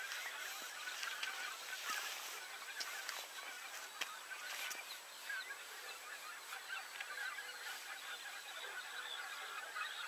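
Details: Common cranes in a large flock at 52.199378, 19.789440: a dense, continuous chorus of overlapping rolling, trumpeting honks with no gaps between callers.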